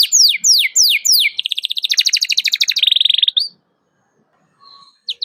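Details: Canary calling a rival, used as a lure for young canaries: a few sweeping downward notes, then a long accelerating buzzy trill that stops abruptly, followed by silence and a faint whistle.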